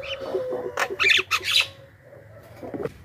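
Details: Javan myna lure call meant to draw in wild birds: a few brief, harsh, noisy squawks clustered together, then quieter chatter over a background hum.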